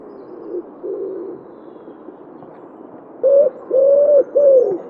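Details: A common wood pigeon in Wittlich in 2017 coos: a soft, low hooted phrase, then three louder, drawn-out coos in quick succession over a faint background hiss.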